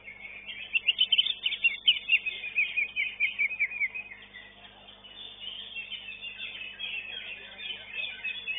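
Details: Greater green leafbird singing at a songbird contest where it placed fourth: a fast, high, varied run of sharp chirps and trilled notes for about three seconds, then a steady, busy chatter of similar high notes.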